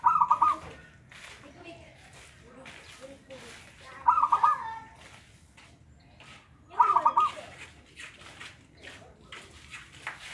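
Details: Zebra dove of a local type, its song used to lure a dove that will not sing: brief stuttering pulsed coos, three phrases roughly every three seconds over a steady noisy background.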